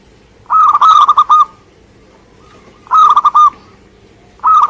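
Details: Local Indonesian zebra dove singing actively: mellow cooing phrases of quick repeated soft notes, each phrase about a second long, given three times at roughly two-second intervals, with a faint steady hum underneath.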